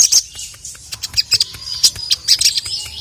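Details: Sogon sunbird calling a male with sparse, sharp, very high chips and short squeaky notes spaced irregularly across a few seconds.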